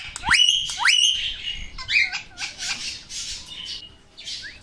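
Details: Pet talking parrot, called bolny wala tota, giving loud squawks and rising whistled notes, then shorter chattering calls that fade toward the end.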